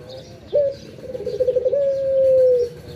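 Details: Morning coo of a pet Barbary dove, locally called burung puter: a sharp onset leads into a low, gently trilling phrase that smooths into a long sustained hoot and trails off.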